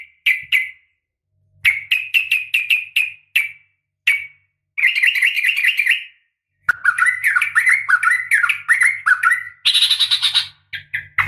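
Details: Yellow-vented bulbul female calling a male with a sharp fighting call meant to make other bulbuls reply; scattered short chirps build into long, fast, warbling chatters, with a faint low hum underneath.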